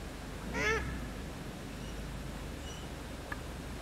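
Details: Paradise shelduck, male and female, calling while the male grazes on grass; one short harsh call with stacked harmonics, followed by faint thin whistles against a low steady background rumble.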